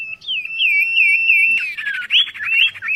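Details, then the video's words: Oriental magpie-robin singing as a vocal tutor bird: a wavering whistled phrase held steady near one pitch, then a burst of rapid buzzy notes and sliding whistles. "sirtu guru vokal yang mantap"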